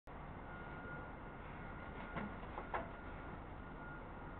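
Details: Steady low hum with a few soft knocks and clicks, and no animal calls.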